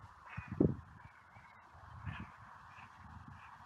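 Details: Wild carrion crows gathering on a seafront clifftop to be fed: two hoarse caws, one near the start and another about two seconds later, half buried under heavy wind rumble and handling noise.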